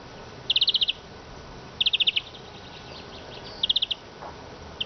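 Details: Eurasian siskin giving short, high bursts of rapid ticking notes, three clusters of about six notes each spaced roughly a second and a half apart, over quiet background hiss.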